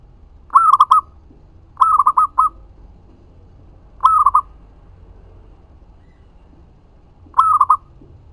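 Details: Energetic local perkutut song, played as a lure so other zebra doves answer: four separate phrases of bubbling, stuttering coos, each under a second, spaced irregularly one to three seconds apart against near silence.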